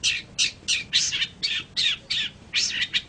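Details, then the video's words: Long-tailed shrike, recorded as training material for other songbirds, giving loud, harsh, rasping squawks. About eight coarse bursts are repeated at a steady pace of roughly three per second with brief gaps between them. "suara burung pentet untuk masteran"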